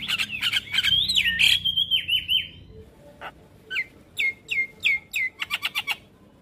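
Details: Black-winged starling tutor song with full varied content for training young birds: bursts of harsh broadband chatter, then a long wavering whistle, then a run of sharp downslurred whistles repeated about every half second.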